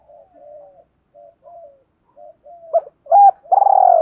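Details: Decoy spotted dove calling to lure other doves, gáy luân style: soft low murmured coos building to two sharp loud notes and a long buzzy, slightly falling coo.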